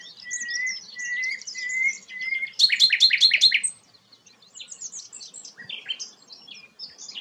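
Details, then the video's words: Sikatan londo flycatcher in steady song, valued by bird keepers as a model for shamas: repeated clear whistled notes, a loud fast buzzy trill, then bursts of high, varied chirps. "burung sikatan londo gacor"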